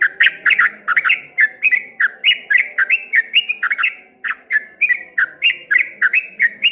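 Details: Loud, fast 'ropel ngombak banyu' song from a streak-eared bulbul, clusters of two or three quick down-slurred whistles repeated in tight succession, with one brief gap.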